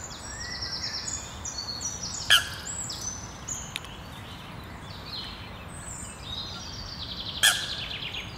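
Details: Young Eurasian coots on their nest at the Sloterplas, Amsterdam Nieuw-West, giving thin, high peeping calls repeated in quick series throughout, with two sharp clicks and steady background hiss.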